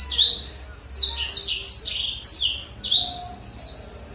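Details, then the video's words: A Black-throated Canary, used as a lure to rouse other birds, sings a rapid run of high, sweet notes, each a quick falling slur, about three per second, with a faint low hum behind. "Pancingan Blackthroat berkicau dijamin emosi"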